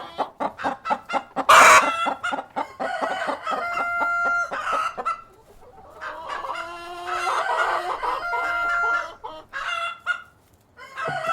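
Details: Cockerel and hens on a farm: rapid rhythmic clucks, a sharp flapping burst, then sustained crows and cackling in overlapping waves, ending with a few scattered clucks.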